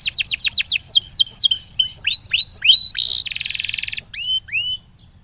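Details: Canary singing a lure song used to encourage a silent canary to sing: quick falling whistles, then upward-curving slurs at varied pitches, a dense buzzy rattle, and a few final rising whistles.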